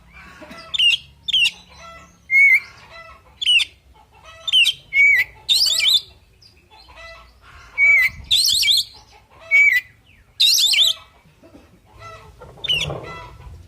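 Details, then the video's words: Oriental magpie-robin fighting song among busy bird chatter, short whistled slurs and sharp chips building into harsher warbled bursts, with soft rustling late on. "Suara Burung Kacer Full Isian Tarung Bikin Emosi"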